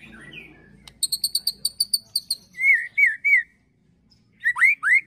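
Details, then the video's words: White-rumped shama ketrekan song, emotional and sharp, filled with cililin and prenjak phrases for provoking birds: a steady series of high ticking chips, then loud slurred whistles in groups of three. "KETREKAN MURAI BATU EMOSI TEMBAKAN PEDAS ISIAN CILILIN PRENJAK TIR"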